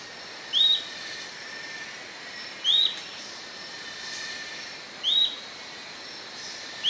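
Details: Atlantic royal flycatcher song: short upslurred whistled notes, each rising then levelling, given about every two seconds, three in sequence over a steady high insect-like hum.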